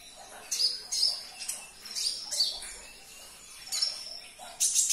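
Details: Sunbird song meant to prompt a caged konin to sing: a series of shrill, buzzy high notes and short whistles, roughly every half second, with a louder burst at the end.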